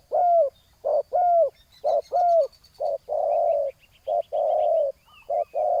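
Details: Spotted dove decoy calling on the ground to draw in a rival. Repeated short and long coos come roughly once a second, several ending in a curved upward inflection. Faint chirps from small birds sound above.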